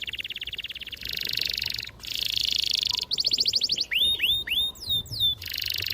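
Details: Canary in full long-rolling song, used to coax young canaries into singing: fast buzzy trills alternate with tight rolls, then swooping upward and downward whistled notes before another rapid trill.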